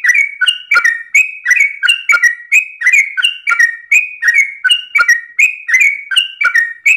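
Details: Dawn ropel song from a sooty-headed bulbul. Bright fluty phrases of two to three notes repeat rapidly and evenly. Occasional sharp knocking clicks, likely from a perch, cut through.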